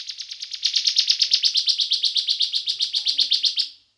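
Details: Bar-winged prinia lure song for encouraging other prinias to sing. A continuous, quickly repeated series of sharp, raspy chirps at about four to five per second swells in loudness, then fades out.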